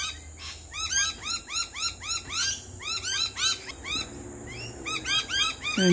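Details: Backyard lorikeets, two birds visiting during a barbecue lunch, keep up a lively chatter of repeated arched whistled notes in quick rhythmic bursts; a short louder sound comes at the very end.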